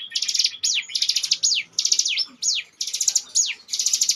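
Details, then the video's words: Bar-winged prinia lure bird in ngebren song: fast, high, stuttering trill packets, each capped by a bright falling whistle, delivered in a steady chain of about eight phrases. "ciblek gunung ngebren"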